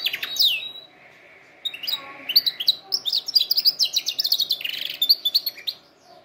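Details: Canary singing to train other canaries: an opening sweeping whistle, a low steady buzzing trill, then a long run of rapid sharp repeated chirps.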